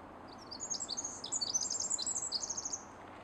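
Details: In Pacific Northwest woods near a road, a Pacific wren pours out a fast, high-pitched cascade of tinkling notes and trills lasting about two seconds before stopping. Low background rumble.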